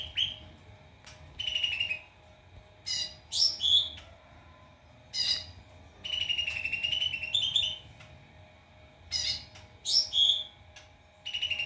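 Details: White-rumped shama song used for training other birds: loud whistled phrases with sliding rich notes and sharp buzzy bursts, repeated in clusters every few seconds with quiet gaps between.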